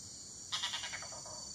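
Red-bearded bee-eater giving a short harsh, chuckling rattle of about eight quick notes that fade and drop slightly in pitch, over a steady high insect hiss.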